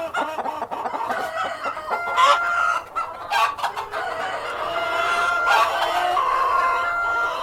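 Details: Cockerel and hens clucking and calling together in a farmyard, overlapping harmonic clucks and short squawks, with bursts of wing flapping around the second and fourth seconds and a steady busy flock background.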